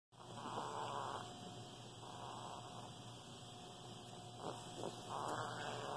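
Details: Caged pet Senegal parrot indoors imitating a demolition hammer, a sound learned during a kitchen renovation: rough buzzy rolling 'rrrrrr' bursts about a second long, repeated three times with pauses, over low room hum.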